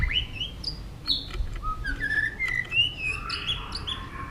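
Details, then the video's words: Fighting song of a White-rumped shama: soft, fairly quiet clear whistles, some rising and some falling, strung into a flowing phrase with light clicks, against a low background murmur. "chòe lửa hót nhấp đuôi tốc độ. kích chòe lửa hót đấu ức chế"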